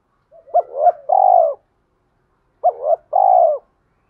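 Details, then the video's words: Spotted dove cooing in the deep 'thổ' style as a fighting decoy for wild doves; two identical phrases about two and a half seconds apart, each a quick hooked double note then a long, slightly falling drawn coo. "cu gáy giọng thổ pha kích bổi trống nhanh gáy, bổi ngoài rùng nghe nhanh về cội đấu với mồi"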